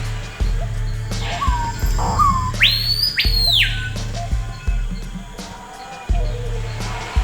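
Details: A Screaming Piha in the Amazon rainforest gives a loud, ringing whistle that sweeps sharply upward and then holds, preceded by softer rising notes, over a low musical drone.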